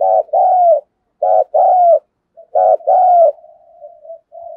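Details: Spotted dove used as a decoy, singing thúc, gù and calling gáy gọi in a thunder-like voice. Three paired phrases of a short throbbing note and a drawn, sliding coo, then a faint, low trailing murmur.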